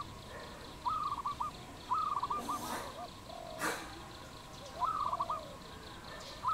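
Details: Wild dove calling in Cambodia on 22 April 2020: three rolling, stuttering phrases of quick pulsed notes, separated by pauses. A lower bird call and a couple of sharp clicks fall between them.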